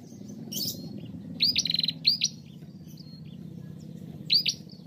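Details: Female bar-winged prinia singing to stimulate other prinias, with sharp upslurred whistles and a rapid buzzy trill, phrases repeated with pauses, low hum beneath.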